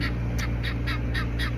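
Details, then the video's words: Helmeted guineafowl heard outdoors from a garden give harsh, grating notes repeated about four times a second over a low steady hum. "Okay, do you hear that noise? That's guinea fowl."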